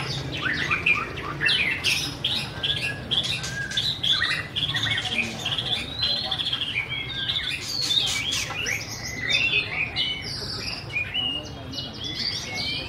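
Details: White-rumped shama delivering continuous high chirps and twittering slurred whistles, densely packed and varied, with a low hum in the background.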